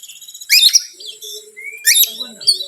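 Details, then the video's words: Song of an Oriental magpie-robin played to provoke other birds: two loud bursts of harsh, rich chattering notes with a clear rising whistle between them and a steady faint low tone. "PANCINGAN BURUNG KACER YANG SUSAH PANAS 99%EMOSI"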